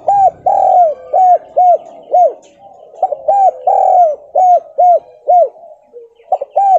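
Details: Spotted dove lure call, a Javanese tekukur in the stuttering kuk 2 and kuk 3 style, meant to make other doves answer: loud hooting coos repeated in quick series, each group led by a longer drawn-out note, then three or four clipped coos.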